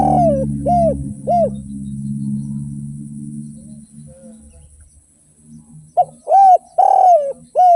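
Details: Derkuku, a spotted dove, in lively song of the 'without kuk' and 'kuk 1' styles. Three rounded coos open the recording, then a low hum and a quiet gap, before a fresh phrase of short and drawn-out coos.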